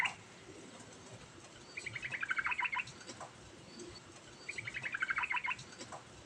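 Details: Yellow-vented bulbul in lively 'ngerol' rolling song, used to call other birds into replying: two bubbly phrases of quick notes that tumble down and back up, about three seconds apart, over a faint background hum.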